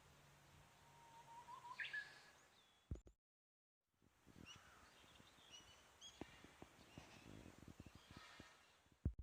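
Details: Japanese bush warbler in spring close to a house, heard but not found: a distant drawn-out whistle ending in a brighter, higher flourish, then rustling, scattered thin chirps of other small birds and ambient noise.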